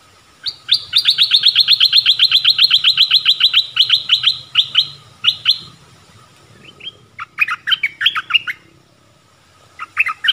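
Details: Streak-eared bulbul singing: a long, even train of sharp chirps, roughly four a second, slows and breaks off. A tumbling cluster of varied sweeping notes follows, then a short final burst. A low murmur sits in the background.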